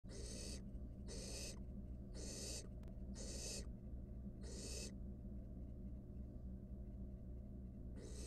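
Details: Wild barn owl nestling in a monitored nest box, filmed while swallowing a rat: harsh, breathy hissing bursts, each about half a second long, repeated roughly every 0.7 seconds over a steady low hum.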